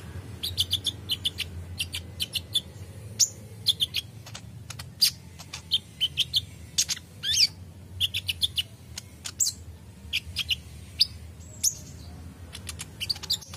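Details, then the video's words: Long spell of olive-backed sunbird song, an untrained bird that answers at once: nonstop rapid ticking tweets and small high chirp clusters, irregular but unbroken for over thirteen seconds. "Konin bahan langsung respon bunyi dengar konin gacor ini"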